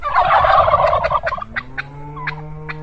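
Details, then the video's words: Live turkey giving its gulugulu gobble: a rapid, rattling burst of throaty notes lasting about a second and a half, followed by a steady humming drone with a few faint yelps over it. "Canlı misirga hindi sesleri gulugulu diyerek ötüşleri"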